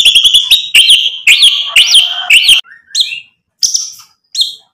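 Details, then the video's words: Lure recording of an energetic white-rumped shama singing mimicked material to make other birds answer: quick clicks and chirps rise into looping whistled notes. Brief buzzy fragments and scattered short whistles follow after pauses. "MURAI BATU GACOR bikin EMOSI Langsung NYAUT BUNYI BONGKAR MATERI ISIAN ampuh buat PANCINGAN"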